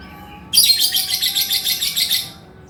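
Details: Male lovebird in full chatter, the ngekek style: a sudden burst of shrill, harsh, high-pitched squeaks pulsing rapidly for about two seconds, then falling silent. A faint steady electrical hum runs underneath.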